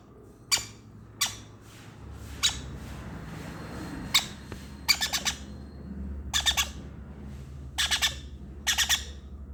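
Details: A conure chick being hand-fed by syringe cries with harsh, raspy squawks, singly at first, then in quick bursts of three or four, over a low steady room hum.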